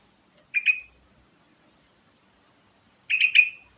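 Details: Two short bubbly phrases from a sooty-headed bulbul, each made of a few quick liquid chuckling notes, about two and a half seconds apart, in silence.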